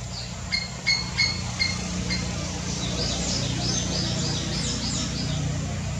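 White-browed fantail giving a quick run of sharp, high chip notes, then faint sweeping whistled notes, over a steady low rumble of traffic.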